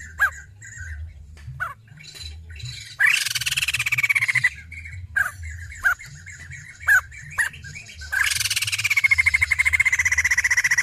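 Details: Female white-crested laughingthrush (poksay jambul) giving two loud bursts of fast rattling notes that sweep downward, separated by scattered short sharp chips.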